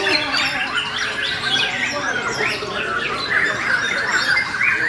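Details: Bornean murai (white-rumped shama) singing aggressively: quick twittering and whistled phrases that build toward a bright, strident burst at the end.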